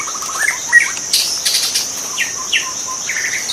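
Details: {'caption': 'Wild white-rumped shama: a fast run of clipped notes, then a bright whistle and scattered upslurred notes, against a constant shrill insect hum and brief crackling bursts.'}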